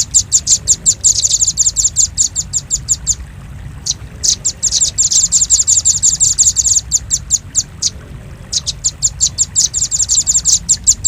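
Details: Repeated chatter from a velvet-fronted nuthatch, used as a lure for birds: bursts of quick, high, dry chips run into dense trills, separated by short pauses with a few isolated notes.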